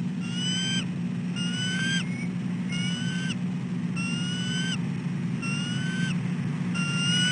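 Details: Female bald eagle at dawn calling again and again for her nest shift change, before her mate takes over egg sitting; thin rising whistled cries, each ending in a slight upturn, repeated about every 1.3 seconds over a steady low engine-like hum.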